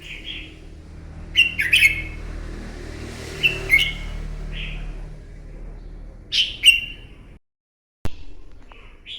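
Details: Red-whiskered bulbul fighting song in the morning, used to train a bird: several chirpy whistled phrases spaced a couple of seconds apart, a brief dropout and click near the end, and low background rumble.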